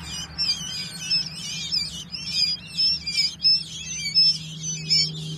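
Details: Three-day-old quail chicks giving a steady stream of thin, very high peeping chirps, short and repeated rapidly, more than one per second, over a low constant hum.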